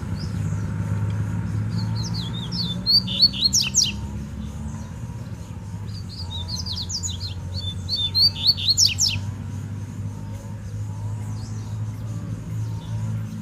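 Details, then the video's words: Wild double-collared seedeater singing in the bush: two bursts of rapid, high twittering notes with sharp downward-slurred strokes, about five seconds apart, over a steady low rumble and background hum. "Um Coleiro De Respeito No Mato"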